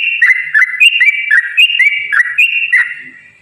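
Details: Yellow-vented bulbul singing, a recording meant to coax other bulbuls into song: loud, clear whistled phrases that repeatedly swoop down and back up, several per second, ending in a quick fade.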